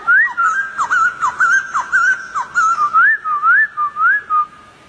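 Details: White-crested Laughingthrush in the wild, singing a rapid run of whistled notes that swoop up and down, some short and sharply falling, others longer rising slurs.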